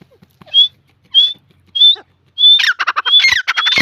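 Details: Grey francolin chicks give thin, high whistled peeps about every half second, then break into a quick run of harsh, chattering squeaks mixed with more whistles.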